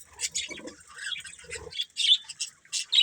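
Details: Budgies giving scattered short squawks and chirps, bursts of high scratchy notes separated by brief pauses, some soft lower rustling midway.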